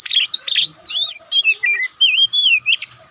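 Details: Oriental magpie-robin (kacer dada putih) singing a rapid mix of harsh chattering notes and sweet wavering whistles, with hardly any gaps between phrases.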